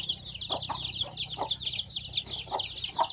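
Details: Farm chicks just hatched under a hen chirp in quick, high, overlapping peeps. Soft lower clucks come roughly every half second.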